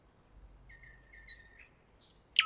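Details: A nightingale singing in a Moscow park gives a long, thin, level whistle, then two bright chirps and a sharp, loud final note, over faint background hiss.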